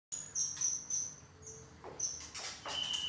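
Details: White-rumped shama missing its two main tail feathers, singing clear, high, steady whistled notes held about half a second each, with a few quick sweeping slurs between them.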